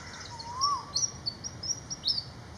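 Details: Malaysian pied fantail song: a lively run of high, clipped whistled notes, each sliding up then down, about four per second. A lower, smooth slurred whistle from another bird is heard near the start.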